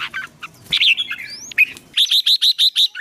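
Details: Songbird trained for fighting song, a newly caught bird being roused to fire; varied whistled and chattering notes, then a fast run of six loud, evenly spaced buzzy chirps in the final second.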